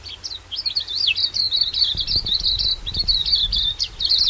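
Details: Silvereye, known also as waxeye, recorded in New Zealand: a continuous high, warbling twitter of rapid wavering notes, with faint low rustling or thumping noises underneath.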